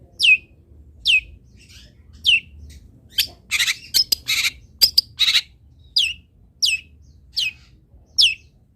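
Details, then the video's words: Long-tailed shrike recording used as a tutor track for training other shrikes to sing: sharp, high notes sliding steeply downward, repeated about once a second, broken mid-way by harsh, buzzy, noisy chattering bursts. "MASTERAN CENDET ANTI GAGAL - CENDET MANAPUN IKUT BUNYI DENGAR INI"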